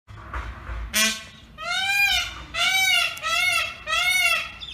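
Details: Indian peafowl calling outdoors: loud, nasal, wailing cries with rich harmonics, three or four drawn-out rising-then-falling screams about a second apart, after a brief harsh honk at the start.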